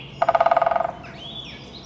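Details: A Pileated Woodpecker drums on a tree, a quick, resonant roll of about fourteen hollow knocks that fades out, followed faintly by a thin whistled bird note.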